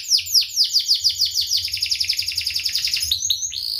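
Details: Singing canary on a teaching track for young birds: several loud downslurred whistled notes, then a fast even trill of sweeping notes at about two per second and quickening, high and sharp throughout.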